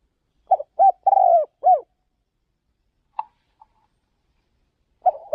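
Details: Captive spotted dove used for luring doves away from home province. One deep cooing phrase of short notes, a drawn-out vibrating coo and a falling final note, then quiet clicks and the start of another phrase.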